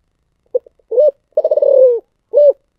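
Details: Spotted dove with the Vietnamese thổ sấm voice: soft clipped notes, an arched coo, a long throbbing descending coo, then a last rounded note. Low, mellow and clear against silence.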